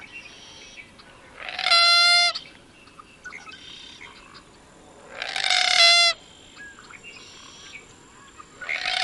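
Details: Common gallinule in Wisconsin repeating a loud, braying, nasal squawk roughly every four seconds. Fainter similar notes sound between them over a constant hiss.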